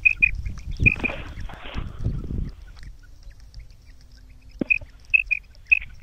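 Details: Female common quail (batair) call used in Punjab, Pakistan to lure males for hunting; a few short high paired notes at the start and end, with a man speaking and handling noise in between.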